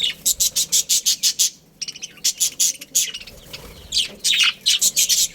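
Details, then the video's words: Budgerigar colony: a fast, even series of sharp, very high chirps, about three per second, then a pause with softer chatter before the rapid chirping resumes. "Cute Budgies Chirping Sounds"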